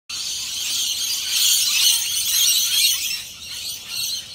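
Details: Rainbow lorikeets, a large flock flying over a house, give dense, continuous high-pitched screeching chatter that swells and fades in waves.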